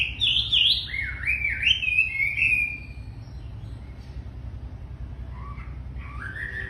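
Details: Wambi, very tame and singing readily, opens with a rapid wavering run of whistled notes rising and falling for about three seconds, then only faint scattered notes over low hum.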